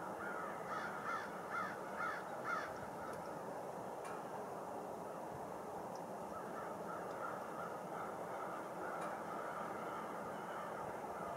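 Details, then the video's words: Blackbirds on a Rush Lake island: a quick run of five harsh, up-sweeping calls in the first seconds, then fainter scattered calls against a constant hum of many birds and wind. "Rush Lake island blackbirds"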